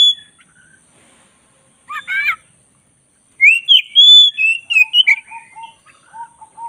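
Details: Black-breasted Oriental magpie-robin (kacer dada hitam), singing actively as a training recording for cage birds. After near silence, a short buzzy burst, then a fast run of bright whistled notes, ending in soft low repeated whistles.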